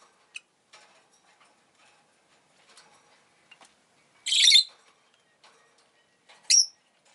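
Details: Rosy-faced lovebird kept as a pet, giving two loud, harsh, high chirps about two seconds apart, with faint scattered clicks and soft ticks between them.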